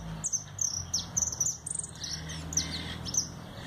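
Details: A pet European goldfinch, described as tame and only recently started singing, sings a quick, tinkling string of high chirps and twitters in short bursts over a faint low hum.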